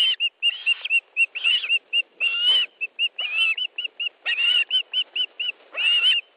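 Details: Osprey at its nest in Estonia during a fish delivery, 1 August 2013: high whistled piping notes in quick runs, broken by short bursts of fuller, harsher squeals.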